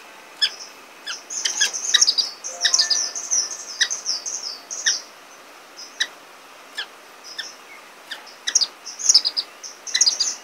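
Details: Orange-cheeked waxbills (Estrilda melpoda) give thin, high chirps and short twittering bursts in irregular clusters, several birds seemingly calling together.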